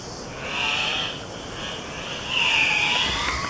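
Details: At a lek at first light in the cloud forest of Mindo, on the western Andean slope of Ecuador, Andean cock-of-the-rock (Rupicola peruvianus sanguinolentus) males display and give two harsh, loud, raspy squawks about two seconds apart over background hiss.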